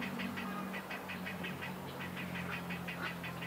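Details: Many grey heron chicks at a nesting colony in Sendaibori River Park, Koto, Tokyo, on 20 March 2022, giving a rapid, even series of dry clicking pulses, about six per second, over a steady low engine hum.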